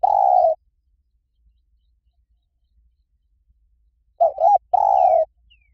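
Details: Liw Tan song of a spotted dove, used to coax another dove into answering: a long low coo at the start, a pause of about three and a half seconds, then two short coos and a sustained coo, with faint chirps.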